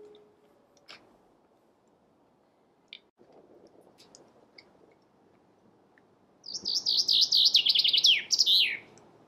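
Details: After several seconds of faint, scattered ticks, a Chaffinch delivers a loud song of rapid, repeated notes sliding downward and ending in a flourish.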